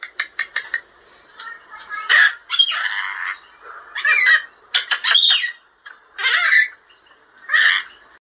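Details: Talking lorikeet giving a run of rapid clicks, then rasping squawks and chattering, speech-like phrases in separate bursts roughly once a second, ending on two short scratchy notes.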